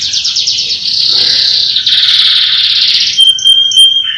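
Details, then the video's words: Canary singing a loud roll: a fast buzzy trill sliding lower and holding steady for about two seconds, ending in short high pure notes and a level whistled tone. "Kicauan kenari roll power full"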